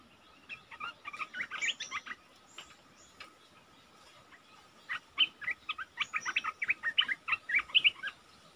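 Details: Lure sound for trapping wild red-eyed bulbuls, mid-January 2022: two bursts of quick, uneven chattering notes separated by a quieter stretch of a few thin high whistles.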